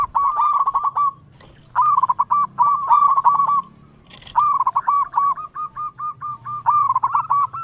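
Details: Local zebra dove (perkutut lokal) calling in all directions: three short phrases of rapid bubbling coos, a pause, then a long steady run of evenly repeated rolling notes.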